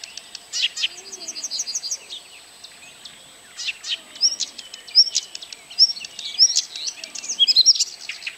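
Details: Blyth's Reed Warbler singing, recorded 12 June 2011 at Kępiny Małe, Pomerania, Poland: unhurried high phrases of clicks, chirps and sharp whistled notes, each repeated a few times, over a thin steady insect-like hiss.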